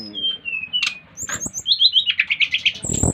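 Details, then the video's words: Brown-chested jungle flycatcher from Bali, aged five months, singing to draw others into song: long even whistles dropping in pitch, then a fast buzzy trill repeated about ten times, ending in a click burst. "Kicauan SRDC Bali Gacor memancing Srdc lain ikut gacor"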